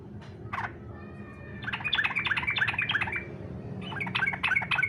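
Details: Fighter-style song of a yellow-vented bulbul, used to coax other bulbuls into singing: quick, bubbly, warbled notes tumble out in two dense bursts after a single short opening note, over a low background hum.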